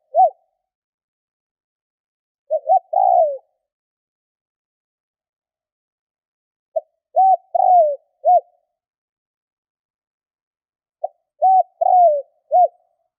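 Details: Decoy spotted dove calling: three low cooing phrases about four seconds apart, each a clipped lead note followed by two or three hollow coos, the longest falling in pitch; otherwise silent.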